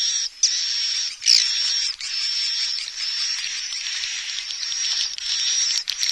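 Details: Swiftlets in a lure recording combining calling and roosting sounds, designed in full stereo: a dense, continuous high buzzy chatter with a steady thin whistle running through it and brief sharp chirps.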